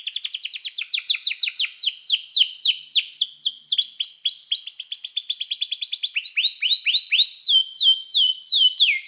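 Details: Canary song to call other canaries to sing, used for training: long chains of quick falling whistled sweeps in changing tours, with a brief fast trill between them.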